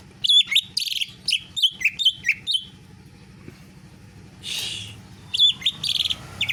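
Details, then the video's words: Greater green leafbird singing in the style of a canary, kept in a cage: rapid high chirped and whistled notes, a pause, a buzzy rasping burst, then renewed bright chirps. "Cucak ijo rasa kenari"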